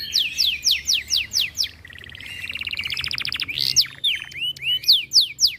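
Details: Canary in high breeding condition, excited by other birds, sings a series of sharp downslurred whistles, a rolling buzzy trill, then upslurred and downslurred whistled notes.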